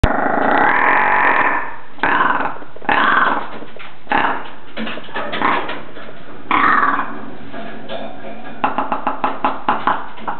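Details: Male Svalbard rock ptarmigan, the largest and most northerly rock ptarmigan subspecies, captive in a zoo ptarmigan house in Nagano, Japan, recorded 6 April 2010. Harsh, croaking rasps in long bursts, ending with a series of quick clicking notes.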